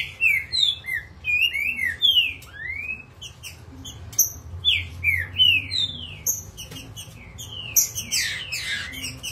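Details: Agitated green-winged saltator singing in full form, pouring out a long series of clear slurred whistles, each swooping down then up, delivered fast and unevenly, with high thin chirps interspersed and a steady low hum behind.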